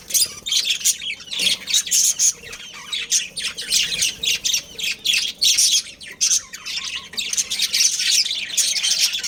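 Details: Breeding pair of budgerigars producing harsh squawky chirps mixed with rapid high twitters, repeated in uneven bursts about every half second.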